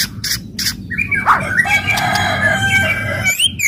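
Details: Fiery White-rumped shama singing to excite rival birds: a few sharp clicks, then a long harsh, buzzy sustained note with a sudden rising whistle, then more clicks, with a low hum beneath.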